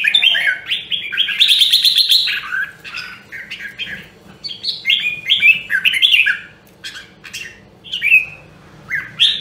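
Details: Voice-training recording of a red-whiskered bulbul from Nam Đông, Huế, a rare strain: a lively stream of clear, fluty warbles and quick slurred notes, briefly rising into a sharper buzzy passage, with a soft low hum behind.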